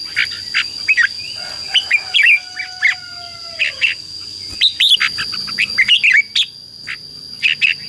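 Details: Red-whiskered bulbul 'chế' song used as lure and training sound: separated sharp chirps and short warbled phrases, with a few long smooth whistled glides in the background and a constant high electronic tone.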